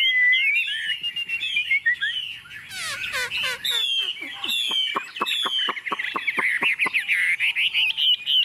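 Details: Confident song of a tame Chinese hwamei set on a table: bright whistles and harsh buzzy bursts, then a fast run of sharp clicking notes mixed with sweet warbled phrases.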